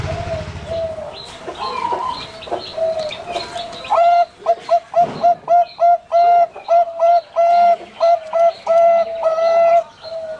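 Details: Zebra dove, a Bangkok-ring perkutut kept at a bird farm in Pamekasan, Madura, sings a clear repeated cooing phrase: rapid stuttering notes breaking into a steady run of short level coos, after softer chirps from other birds in the first seconds.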